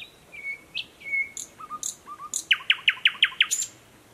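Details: Newly arrived thrush nightingale singing in dense thickets by a stream, Mogilev district, Belarus, 11 May 2021; a few whistled and buzzy notes, then a loud rapid series of about eight hard repeated notes.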